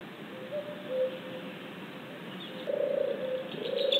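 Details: Possibly a European turtle dove, at 19:26 on 15 June 2014, gives low, soft purring phrases, a faint one early and a stronger rolling pair near the end, over steady background hiss.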